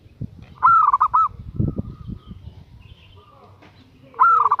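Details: Female zebra dove calling vigorously to lure a male: a burst of rapid, rolling, bubbly coos, then soft thumps and faint notes, then a second burst of rolling coos near the end.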